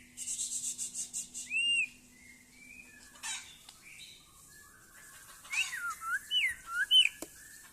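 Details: White-rumped shama, Aceh type, at a songbird competition: a rapid run of repeated high notes, then clear rising and falling whistles and sweeping slurred phrases, with a steady low hum underneath.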